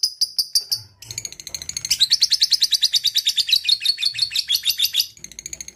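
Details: Ngekek song of a lovebird in full voice, a long chatter: a short run of high scratchy notes, a brief pause, then a loud even train of grating pulses, about three per second, sustained over three seconds.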